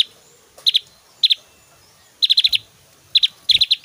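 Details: Javan grey-throated white-eye in full song, its loud, varied 'tembakan' delivered as pairs and quick runs of four or five sharp high clicking notes separated by short silences.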